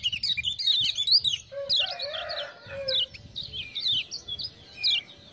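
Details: A Lemon-bellied white-eye (kecial kuning, Lombok) answers 'ciak-ciak' lure sounds with busy song. Dense high warbling and chattering ticks run throughout. A lower, buzzy, sliding note sounds near the middle, and sharp chirps repeat toward the end.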